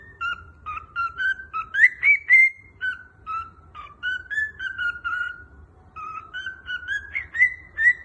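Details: A cockatiel whistles the tune "Peekaboo" in clear, rising and falling notes in quick phrases.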